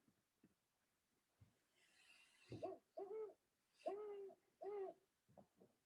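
Great Horned Owl giving a deep, rhythmic series of about five hoots, the pattern of 'who's awake, me too', with faint room noise in the background.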